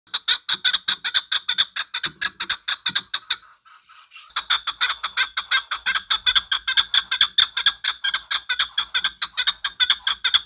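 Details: Chukar partridge calling: a long series of rapid, clucking chuk notes, about two per second, running continuously apart from a one-second break, with faint low background rumble.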